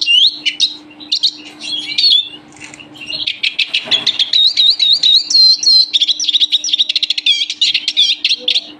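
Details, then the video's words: A European (Eurasian) siskin sings a fast, high, nearly continuous twittering song of chirps, trills and wheezy rising notes, with a faint steady hum underneath as if indoors. "European siskin finch singing"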